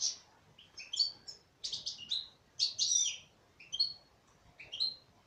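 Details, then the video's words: Female European goldfinch singing, kept in captivity: bright twittering phrases of short tinkling and buzzy notes high in pitch, delivered in bursts roughly every second with brief pauses between. "تغريد انثى حسون"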